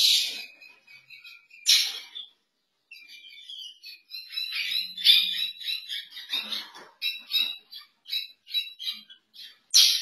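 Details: A Chestnut-bellied Seed-Finch at a captive breeding pairing gives quick, high chattering phrases and bright twittered notes, broken by a few harsh, rasping bursts.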